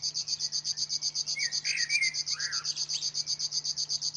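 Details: Loud river warbler reeling, a relentless train of buzzy pulses about four per second, while a second bird adds short slurred whistles midway.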